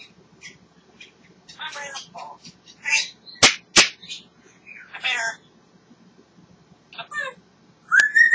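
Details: African grey parrot talking away and enjoying itself: short speech-like chattering bursts, a couple of sharp clicks in the middle, and a clear rising whistle at the end.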